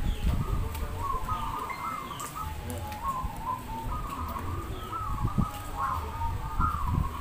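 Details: Zebra doves singing at a local bird contest in Demak, Semarang: soft, rolling, bubbling coos overlap in a continuous chorus, with occasional higher notes, over steady low rumbling background noise.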